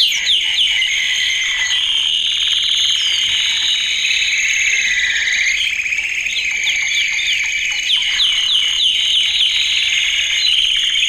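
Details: Canary training song for males, with a dense continuous high rolling trill that rises and falls in pitch. Brief clusters of sharp chipping notes appear near the start and end.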